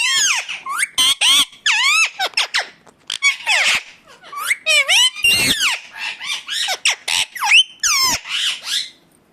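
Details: Indian ringneck parakeet calling in its natural voice: dense bursts of harsh, screechy squawks with sweeping rising and falling notes, separated by brief pauses over about nine seconds.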